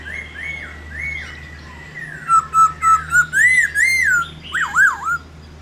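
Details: Energetic black-throated laughingthrush song used to rouse other laughingthrushes to sing: drawn-out slurred whistles give way to a fast series of bright arching notes and closing wavering swoops, over a steady low hum.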